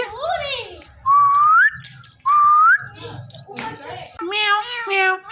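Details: Pet male Ringneck parrot watching himself in a phone, talking and whistling: two clear rising whistles, each about half a second, between harsher speech-like squawky syllables, indoors.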